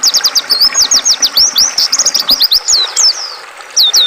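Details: An oriental white-eye, whose recorded song is used to train caged birds, delivers a dense, lively string of high slurred chirps and rising-falling twitters. The song fades briefly before two final sweeping notes.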